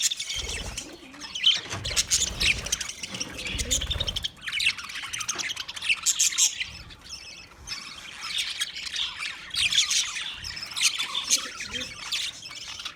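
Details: Budgerigars chirping together, a dense wash of high twittering and warbled squawks rising and falling in bursts, with occasional low thumping rumbles underneath.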